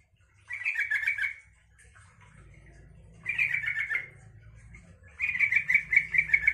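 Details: Yellow-vented bulbul song meant to provoke other bulbuls to reply: three bursts of rapid, bubbly warbled notes, each lasting about a second, separated by pauses, with a low rumbling background hum.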